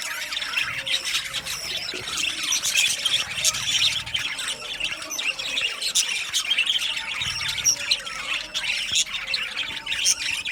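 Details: Many budgies in an aviary chirping steadily, a dense mix of high warbles, squawky notes and twitters running without a break.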